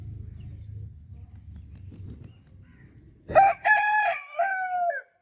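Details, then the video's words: Rooster crowing: after about three seconds of low rumbling background noise, a loud, harmonic cock-a-doodle-doo bursts in, broken into several strained, drawn-out segments and ending abruptly. "Rooster Crowing Sound Effect Continuously"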